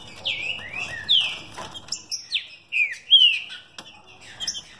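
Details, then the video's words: Captive green-winged saltator from São Paulo delivering fibra-style song at speed: rich, slurred whistled notes, several sweeping downward then leveling, in a rapid phrase of about six notes with short pauses between. "Trinca ferro mutação fibra e velocidade."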